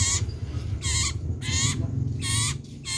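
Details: Loud, active common iora, known as cipoh sirtu, giving four broad, grating, buzzy bursts about half a second apart against a constant low rumble.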